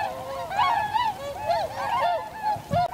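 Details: Tundra swans calling together, winter, 7 February 2015: a short run of loud, bugling honks with bent, rising-then-falling notes overlapping among several birds.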